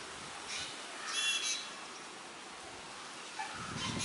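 A black drongo gives harsh, scratchy, high-pitched calls in three short bursts, the loudest a rasping phrase near the middle, over a faint steady hiss.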